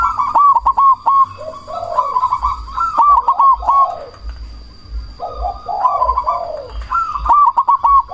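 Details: Loud cemani perkutut call used as a lure so rival doves answer and breeding drive rises. High rolling, stuttered notes alternate with lower mellow coos in repeated phrases, with a thin constant tone and low rumbling underneath.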